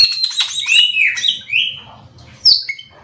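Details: Black-winged myna giving loud harsh squawks that slide downward into a drawn-out rasping note, then a sharp high squeal and a short whistle, with a faint low hum in the background.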